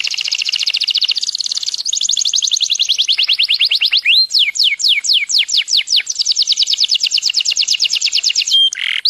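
A canary sings a long, continuous song of rapid trills, buzzy rolls and sweeping whistled notes, high-pitched and steady throughout, with no other sounds.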